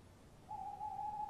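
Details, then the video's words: A pair of tawny owls calls back and forth at a nest box in the early hours of 23 March 2015. One steady, low, sustained hooting note sounds, held evenly for nearly a second. "Bosuilen roepen V roept op tak M in kast V weg M gat weg"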